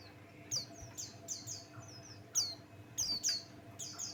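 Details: Pleci Buxtoni white-eye song meant to provoke other birds into singing: sparse, high, squeaky falling chirps roughly once a second, with brief gaps of hum between.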